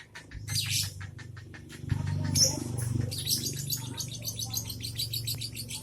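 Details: Young lovebird giving ngekek song with tight gaps: a fast, rattling chatter of high notes, with low room hum and handling noise beneath.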